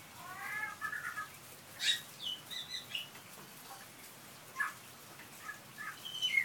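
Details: Pied butcherbird sheltering from rain under verandah eaves sings and mimics car alarms and a cat's meow: a wavering meow-like phrase, then bright varied whistles and squeaky notes that rise and fall.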